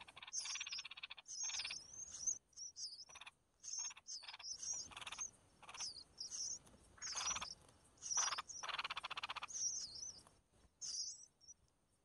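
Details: Red-whiskered bulbul chicks being fed by their mother give harsh, raspy begging bursts about every second, mixed with thin high chirps and whistled notes.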